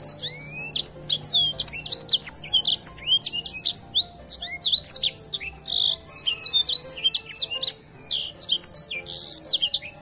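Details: Long, energetic edel sanger song of rapid high chirps and downsliding whistles, repeated in quick varied phrases, with a brief steady high tone near the end.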